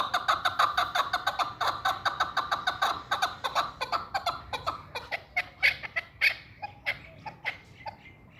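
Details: Chukar partridge kept for hunting repeats brisk chuck-like notes in quick succession, then spaces them out into louder, separate, slightly higher calls over the last few seconds.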